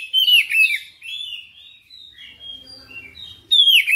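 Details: Insistent oriental magpie-robin song showing its full repertoire, loud slurred whistles at the start, then softer wavering whistled notes, then a sudden bright phrase at the end.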